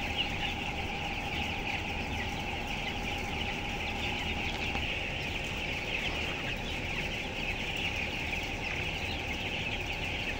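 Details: A closed house with 7,000 twelve-day-old broiler chickens of 423 grams; steady high peeping from the whole flock throughout, with a prominent low ventilation-like rumble and a faint constant tone in the background.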